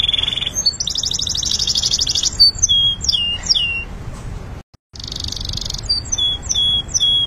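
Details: Training song of a canary: a short clear trill leads into a long buzzy rattle, a series of sharp falling chirps, a momentary gap, then another rattling burst and high repeated twittering notes over faint background hum.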